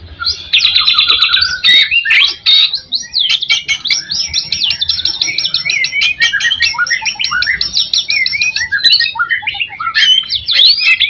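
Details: White-rumped shama song played as a lure for other shamas: a fast, continuous stream of varied whistles, sweeping slurs and crisp clicks, with a short buzzy trill at the start.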